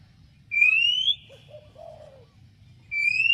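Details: Oriental magpie-robin singing to make another bird answer: a long clear whistle rising in pitch, a short run of low burry notes, then the rising whistle starting again.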